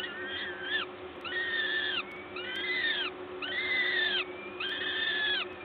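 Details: At a Gdańsk peregrine falcon nest on 14 May 2022, 11:07, during feeding by a parent: four long, nasal, arching wails, each about half a second to a second, rising then falling, with short gaps between.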